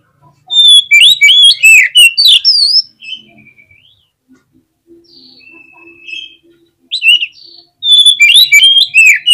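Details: Caged oriental magpie-robin (kacer) in agitated contest-style song to provoke rival birds: dense rapid bursts of harsh chatter and sweeping whistles, a quiet middle stretch of soft thin notes, then another loud frantic burst.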